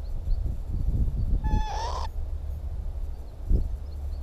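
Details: A northern lapwing in May 2017 on the Timiryazev field utters one upward-sliding, nasal call after a burst of low thumping, then a quieter knock follows.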